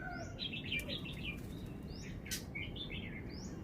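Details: Red-whiskered bulbul, a caged songbird, delivering wild-style (phleng pa) song: soft, fairly distant warbled phrases of slurred whistles, repeated twice within a few seconds against steady low background noise.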